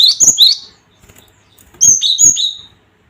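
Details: A lure call of the cinereous tit, meant to rouse a fighting mood in other birds. Two phrases of clicks, then paired whistles that drop from a high note to a lower sliding one, with a pause between.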